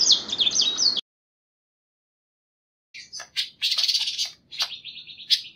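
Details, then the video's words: Masteran recording of a panca warna: one second of rapid high whistled phrases, a sudden gap of silence, then harsh buzzy bursts and short chirps separated by brief pauses. "masteran suara burung panca warna"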